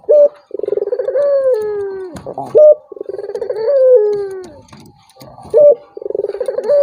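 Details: Turtle dove cooing, played to goad a rival that will not call: repeated low vibrating coos that stretch into falling drawn notes, punctuated by short loud higher notes between phrases.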